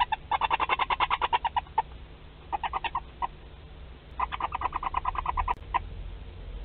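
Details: Barn owl at its nest in Théding, 31 March 2021, as a wood mouse arrives alive: bursts of rapid chittering ticks, a long run, two shorter groups, then another long run, with a faint knock.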